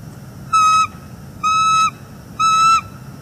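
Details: Pair of wild bald eagles at their nest in northeast Florida on a September 2021 morning, calling after the female rejects the male's mating attempt; three sustained, clear, harmonic whistled notes, evenly spaced about a second apart.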